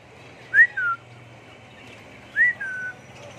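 A budgerigar gives two clear whistled calls, each sweeping up then gliding down, nearly two seconds apart.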